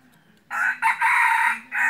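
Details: Decoy red junglefowl for hunting crows clearly: a hoarse opening note, a longer sustained middle section and a clipped final note, over a quiet background.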